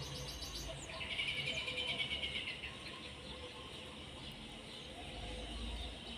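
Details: European serin pair kept together in a cage, singing a bright, rapid, buzzy trill that runs for nearly two seconds after a few thin high notes, with a low hum underneath.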